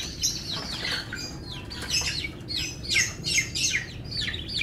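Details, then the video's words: Canary, F1, singing: loud repeated descending chirp notes in a lively rhythm, each sweeping from high to lower pitch, over low background noise. "KICAU MERDU KENARI F1"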